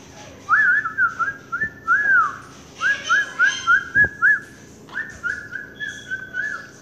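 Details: Pet Quaker parakeet calling out for its owner, "mommy": runs of quick warbled whistles rising and falling in short bursts, about three a second, with brief pauses between phrases and a woman speaking Vietnamese nearby.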